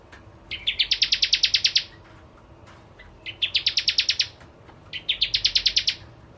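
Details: Bar-winged prinia in lively song, a lure recording for kept birds: three evenly spaced bursts of about a dozen fast, clipped high chirps, each burst stepping up in pitch after the first notes.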